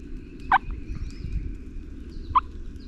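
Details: Two short, rattling gobbles from a distant wild turkey, about two seconds apart, over a steady low rumble of wind, at dawn off the roost while hunting on national forest public land in Virginia.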